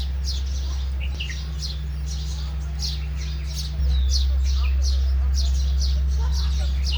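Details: Sparrow chirping during bathing and flight: rapid, fairly regular high tweets, several birds overlapping, against a heavy low hum that steps louder partway through.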